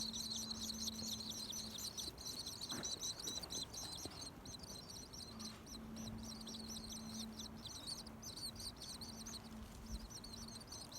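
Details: Nestlings in a nest built in a tree at a home calling from inside the nest: thin, high peep-peep notes in quick, uneven bursts, faint throughout, over a steady low hum.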